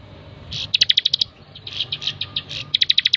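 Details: Bar-winged prinia master song for training birds: three quick bursts of bright, high staccato notes, the middle one looser and buzzier, within a few seconds.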